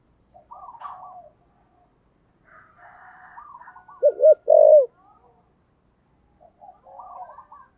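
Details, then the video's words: Spotted dove with the thổ sấm calling voice, giving one short pair of low, hooped coos in the middle, surrounded by soft chattering of other birds. "cu gáy giọng thổ sấm gáy gọi cực đỉnh vang cả xóm"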